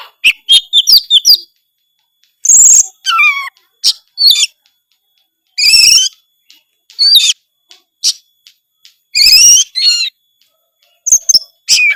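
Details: Long gacor song bout from an Oriental magpie-robin, full of isian fill-ins. Clusters of quick chirps, whistled slurs and harsh buzzy phrases alternate with short pauses.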